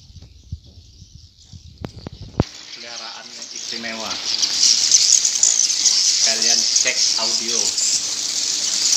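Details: At night many swiftlets enter an indoor bird house: a dense, hissing chorus of high twittering calls swells after a sharp click, with a few lower, voice-like squeals breaking through.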